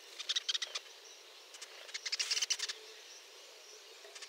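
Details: In Peru, a White-throated Jacamar gives thin, high-pitched notes in two quick chattering bursts, with a few faint whistles between them over a soft outdoor hiss.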